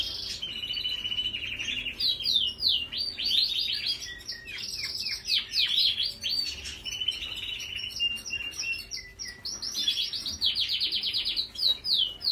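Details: Yorkshire canary in sustained song, mixing long rolling trills, quick rising and falling whistled sweeps and rattling bursts, delivered continuously over twelve seconds above a constant faint electrical hum.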